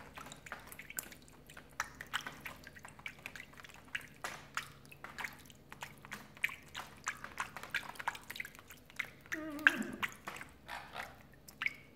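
Water drips and splashes steadily in a small room, with a brief murmur near the end.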